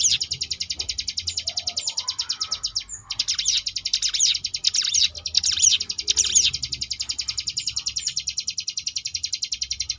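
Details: Sunda bush warbler (ciblek gunung) singing in the ngebrem variation style, used as a tutor recording for contest birds: a dense, rapid buzzy trill of high notes held for seconds, broken by sharp sweeping chirps, with low hum beneath.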